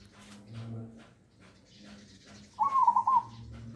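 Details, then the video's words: Tame, hand-reared pet zebra dove about a year old, singing in the 'nggayer' style noted for a big, bass voice; one rolling, trilled coo phrase arrives late, after quiet indoor background noise. "Suara Nggayer Burung Perkutut Raja Super Besar dan ngebas"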